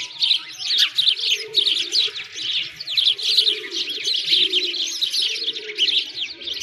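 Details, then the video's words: Wintertime sparrows at a frozen lake, Bratislavsky Park, Moscow: many birds give quick, sharp overlapping chirps in a steady busy twitter, with a faint mid-low hum underneath. "Sparrows singing"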